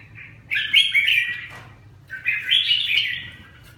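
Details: Red-whiskered bulbul, a caged Vietnamese songbird, giving two rich, warbling phrases about a second long each, separated by a pause of roughly half a second, over a quiet low hum.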